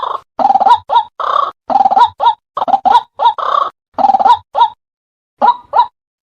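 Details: White-breasted waterhen lure call, played to attract and trap the bird: loud repeated croaking phrases, each a bubbling burst followed by two short gulping notes, in a steady cycle roughly every second, ending with a gap and two final gulps.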